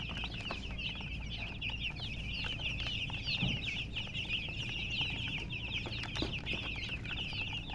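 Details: Domestic baby chicks chirping together: a dense, continuous chorus of high, short downward-sweeping peeps overlapping from many birds, with a steady low hum underneath.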